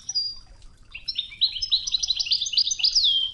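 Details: European goldfinch, Wedani song style, 'Toughza' training tape with flowing river sound: loud, rapid, liquid twittering of high chirps building into a continuous tumbling phrase ending in a downward slur.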